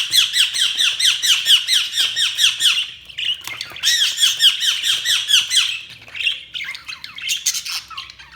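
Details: Budgerigars chirping in a small room: dense, fast chatter of short, high, curving chirps, repeated more than twice a second, with a brief pause near the middle before the busy warbling resumes.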